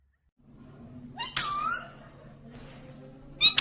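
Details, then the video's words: Green ringneck parrot talking, natural sound: one high, harmonic, speech-like utterance that slides downward, then a short sharp note at the end, over a low steady indoor hum. "Natural Sound of Talking Ringneck green parrot"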